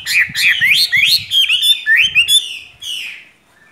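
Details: Caged wild-caught Chinese hwamei pouring out rich, fast whistled song, each phrase rolling upward in pitch, linked into a continuous run before fading to quiet.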